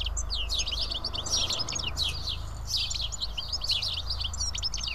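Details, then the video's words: House sparrows gathered to feed at Karyotissa, Greece, fill the air with busy, overlapping twittering and sharp chirps, steady throughout, over a low rumbling background. "Σπουργίτια (ήχος και εικόνα)"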